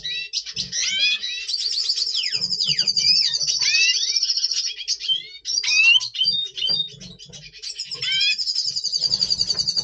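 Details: Red siskin, a double pastel colour form, caged, singing before breeding in November 2023: a long, fast, twittering warble of high, thin rising and falling notes with buzzy trills, run almost continuously for ten seconds, plus faint low knocks.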